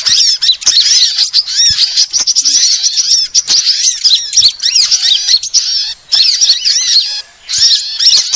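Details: Several kinds of sunbirds in a lure sound for attracting birds: long stretches of overlapping high chirps and squeaky rising-falling notes, broken by a few short gaps.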